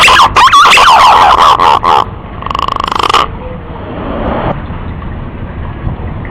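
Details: Male green pigeon calling a female: two seconds of loud warbling whistles, a short buzzy trill, then only soft hiss.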